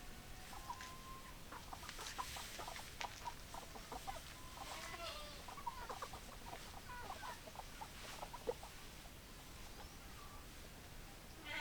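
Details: A flock of hens and roosters clucks busily, with many short, clipped notes overlapping throughout, some slightly longer drawn notes mixed in, against a constant noisy farmyard background with faint speech.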